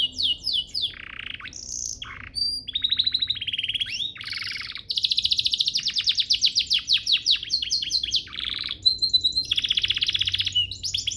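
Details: Training master song of a canary: a long medley of high trills, low-dipping buzzy tours and short whistles, with each section repeated rapidly before the next phrase type begins.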